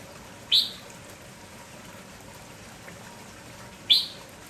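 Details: Red-whiskered bulbul of kampong stock, lively in the morning and calling nonstop, gives a single sharp falling chirp, then another identical chirp about three and a half seconds later, against quiet background hiss.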